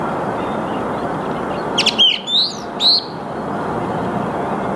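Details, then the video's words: Song thrush, Turdus philomelos, singing at dawn on 8 March 2022 in the Ruhr meadows at Mülheim an der Ruhr: a sharp burst followed by two bright rising whistled notes against a steady hiss. "Song Thrush singing / Singdrossel singt"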